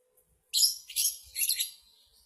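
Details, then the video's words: Lovebird from a singing contest, a district-level champion, giving three short bursts of high, shrill chattering twitter within about a second and a half, set against silence. "Duel Lovebrid Gacor Juara Tingkat Kecamatan"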